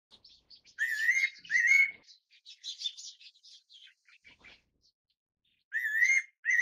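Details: Fairy pitta giving clear, slightly wavering whistled notes in pairs, a quick double phrase near the start and again at the end, with softer scratchy chirps from other birds filling the gap between.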